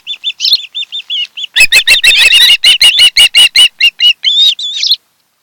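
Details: Osprey at the nest on Kent Island, Maryland, 26 July 2018: clipped high whistles repeated in a steady line, then a loud, rapid stream of piercing cheeps that slows at the end.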